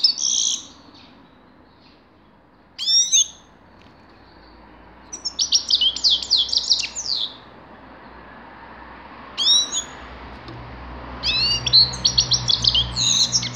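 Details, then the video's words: Grey-crowned goldfinch singing in separate bursts: high jangling twitters and bright slurred calls, broken by pauses of a few seconds, over a faint low hum. "Седоголовой щегол"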